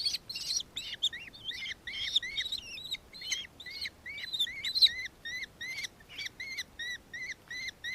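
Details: Nankeen kestrel, Victoria, Australia, 4 December 2024: a busy, scratchy opening, then a clean, steady string of high, arched chittering notes repeated quickly through the rest of the recording.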